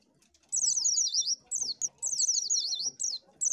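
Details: Oriental white-eye, used to lure birds, gives quick high twittering phrases of rising and falling slurred notes, roughly one-second bursts separated by short gaps and a sharp click.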